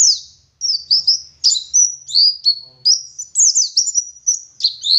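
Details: Oriental white-eye, local dakun type from Garut in West Java, in lively ngeriwik-style song: a continuous series of high, bright slurred chirps repeated roughly every third of a second, with faint low hum at the start.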